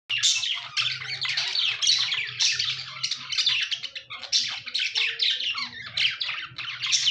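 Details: Budgerigars chirping: dense, overlapping warbles and squeaky chatter from several birds, with rapid scratchy notes in continuous bursts and a faint low hum beneath.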